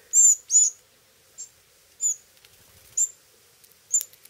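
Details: In Terlingua, Texas, chicks of a male Pyrrhuloxia beg as he brings them food taken from a hand; loud, piercing high whistles, two long ones first, then shorter single notes about once a second.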